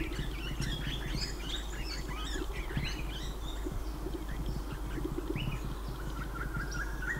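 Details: A Swift Parrot, seen dropping from Blue Gum tops into a birch tree, gives a scatter of quick, high, metallic chirps and piping notes, over a steady low rumble of background noise.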